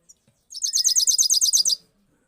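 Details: European goldfinch singing a single rolling sound in 2022: a clear, high, even trill of about twelve quick identical notes, preceded by a faint short chirp.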